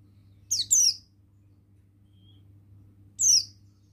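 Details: Quieter passage from a male buxtoni Oriental white-eye in ngalas style: a pair of thin, high, falling chirps, then a lone similar note after a two-second gap, over a steady low hum.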